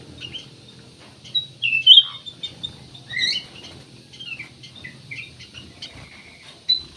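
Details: Lively black-naped oriole song meant to set other birds singing: a busy run of high chirps, quick slurred whistles and short rattles, one louder burst at the start of the second second.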